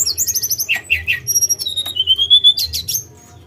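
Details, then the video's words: Sunda robin (tledekan gunung) song: rapid high chirped series, then sharp rising notes, a long thin whistle and a final burst of quick notes, over a faint steady low hum. "Pendongkrak Emosi Burung Tledekan !"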